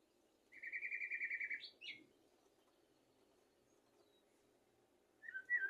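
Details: A common blackbird sings for tutoring goldfinches and canaries. A fast buzzy trill of about a dozen pulses is followed by a rising twist, a pause of silence, and then a final short burst of bright twittering notes.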